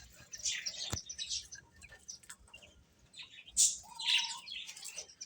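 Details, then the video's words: Baby chickens chirping while eating: scattered high, sharp peeps in uneven bursts, a louder cluster near the end, a brief lower steady whistle, and a single soft knock. "Beautiful Chicks Chirping Sounds | Baby Hen Eating"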